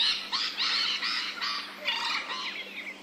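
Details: Rainbow lorikeets in Australia, recorded in ambisonic surround sound: harsh, screechy, rasping calls in overlapping bursts of about a quarter second, several birds chattering over a steady low hum.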